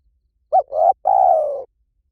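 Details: A single spotted dove phrase, played as a lure call: a brief looping note, then a fuller coo, then a long coo that slowly drops in pitch. The voice is soft and hollow, against a silent background.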